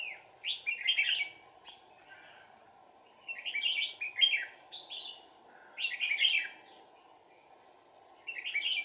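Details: Red-whiskered bulbul decoy used in trapping wild birds, recorded 1 April 2019: short bursts of warbled, chirpy phrases about every two and a half seconds, over steady low background hum and faint distant thin whistles.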